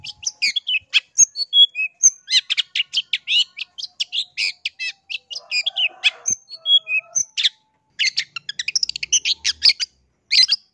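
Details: Long-tailed shrike, or pentet, pouring out a lure song to draw replies from other shrikes: long bursts of fast scratchy chatter interspersed with high whistled slurs and short pauses.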